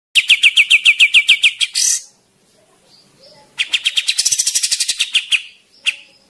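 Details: Javan grey-cheeked bulbul singing actively: fast bursts of harsh, buzzy repeated notes, about a dozen per burst at a steady pulse, with a quiet gap between two bursts and a short final note.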